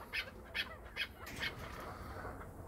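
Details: Chukar partridge from Krasnoyarsk, prompted by its owner, gives four short raspy notes in quick succession, then falls quiet, leaving only faint room noise.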